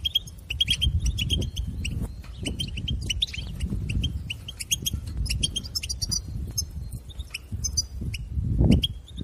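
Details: Stimulation track of European goldfinch song for a captive bird: continuous quick, high, tinkling twitters and short chirps repeated throughout, with low rumbling noise underneath.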